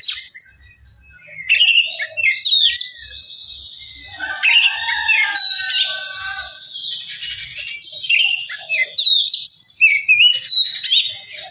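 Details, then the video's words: Oriental magpie-robin song played to provoke another bird into singing: high, rapid, varied whistles, buzzy chatter and sweeping notes in dense bursts after a brief quiet opening. "pancingan Kacer biar cepat gacor dan emosi"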